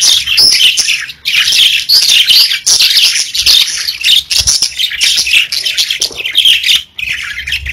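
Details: Pet budgies warble and chirp in a lively chorus of squeaky, scratchy notes, with two brief lulls around one and seven seconds before the chatter resumes.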